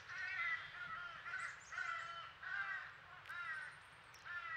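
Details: Young crow of a noisy crow family at a squirrel feeder in Nova Scotia, Canada: soft, continuous run of nasal whining caws with background hum and a brief high metallic tone.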